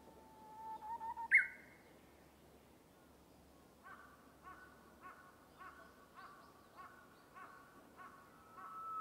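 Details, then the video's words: Uguisu, the Japanese bush warbler, in bamboo forest: a low sustained whistle breaking into a sharp, loud rising flourish, followed by a long run of short, evenly spaced clipped notes repeated about three times per second. "Japanese Bush Warbler (Uguisu) singing"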